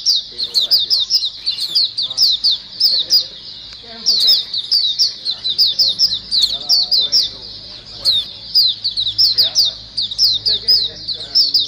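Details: Long, lively white-eye flock chorus for luring: a continuous stream of high, thin twittering chirps in quick clusters, with softer lower chatter running beneath.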